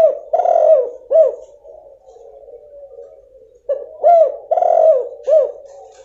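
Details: Female spotted dove call used to stimulate a male that has stopped calling. Two matching phrases of deep cooing about three and a half seconds apart, each a short coo, a long swelling coo, then a clipped coo, with quiet soft cooing between.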